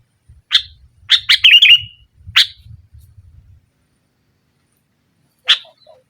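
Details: Sooty-headed bulbul in lively nggaruda song meant to pressure rival birds and rouse quiet ones. Clipped notes build to a short gurgling warble, then one lone chirp later, over faint low rumbling.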